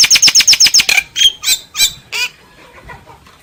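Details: Singing common myna giving a quick string of about seven sharp, chattering notes, then a few slower, rougher calls that fade out.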